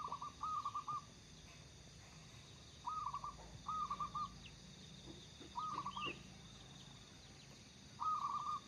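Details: Zebra dove of local stock, in full song and kept to lure others, repeats brisk rolling coo phrases in bursts several seconds apart, each a quick run of clipped notes. Thin high chips from another bird sound between phrases.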